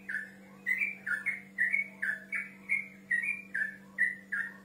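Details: A male yellow-vented bulbul calls out to a rival in a long run of liquid whistled notes, each a quick up-and-down phrase, repeated steadily about three times a second, with a faint background hum.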